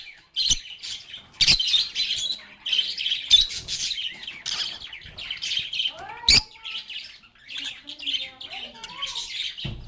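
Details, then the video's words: Singing, chattering lovebirds: a lively run of high squeaky warbles and chirps, punctuated by sharp clicks, with a few lower, gliding whistled notes in the second half. "Lovebirds agapornis sounds | Relaxing Sounds of Singing, Playing, and Talking Parakeets"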